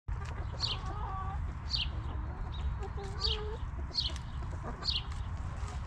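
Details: Backyard hens relaxing in their coop give soft, drawn-out tonal clucks and low murmurs, while a small wild bird repeats a high, falling chirp about once a second over a steady low rumble.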